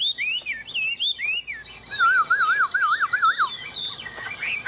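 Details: Chinese hwamei sitting on a hand in full song: a few high swooping whistles, then a looping, yo-yo-like series of rolling notes, ending in scattered clear whistles.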